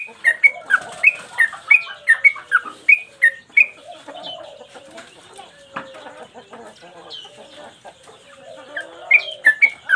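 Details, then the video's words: Sooty-headed bulbul, a cage bird in full 'gacor mbandul' voice, recorded as a master for training other cage birds. Bright whistled notes, about three per second, open and close the song. A mixed stretch of other chirps and squeaks fills the middle. "Trucukan gacor mbandul satu lagu main ekor"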